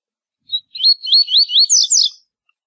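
A double-collared seedeater gives a quick, bright song of about seven slurred, rising whistles that speed up toward the end, with nothing else heard.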